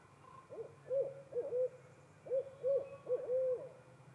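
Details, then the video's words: Barred owl, a female answering her mate, giving hooting calls: a series of about seven mid-pitched hoots, some with wavering, slurred ends, with a faint low hum beneath. "Barred Owl answers her mate with hoots of her own."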